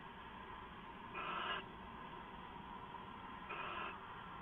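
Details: Owl at night on a nest camera, 2 September 2014 near midnight, giving two noisy, hissing half-second bursts roughly two and a half seconds apart against constant low background hum.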